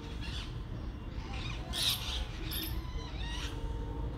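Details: Several parrots chirping loudly while eating and balancing on a wire; short harsh, broadband squawking chirps come in separate bursts about every second, over a steady low rumbling background hum.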